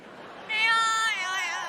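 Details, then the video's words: A 15-year-old pet double yellow-headed amazon, asked to sing, sings one long, voice-like note, rich and slightly wavering, held for over a second after a quiet start. "the singing bird!"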